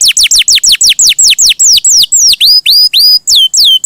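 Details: Canary in rich song: rapid descending whistled notes repeated about three per second, slowing into longer swooping and rising notes toward the end.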